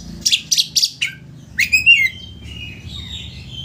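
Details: Oriental magpie-robin phrase used to provoke a rival to open its tail. Three quick harsh notes are followed by a rising whistle and a fading warble, over low background hum.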